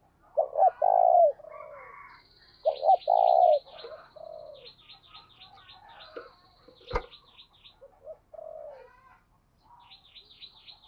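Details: Spotted dove kept as a training decoy, cooing in the gáy sung style. Two strong coo phrases open, then softer coos continue while another bird repeats a high, wavering chirp, and a sharp click sounds midway.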